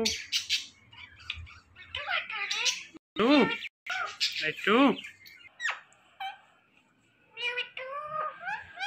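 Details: Rose-ringed parakeet, a talking ringneck parrot, producing short speech-like syllables with stacked harmonics in quick irregular bursts, some sharp and nasal, with brief pauses between phrases indoors.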